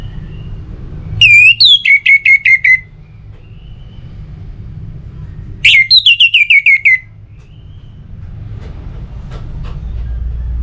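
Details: Two bursts of orange-headed thrush ngeplong song, used for prompting other birds: each a high opening whistle followed by a tumbling run of crisp descending notes, with faint clicks and hum between.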